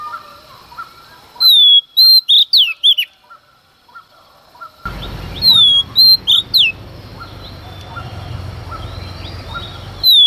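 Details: Female Oriental magpie-robin singing at dawn to provoke males: two loud phrases of descending whistles and quick slurred notes, separated by a pause, the later part accompanied by a steady low rumbling noise.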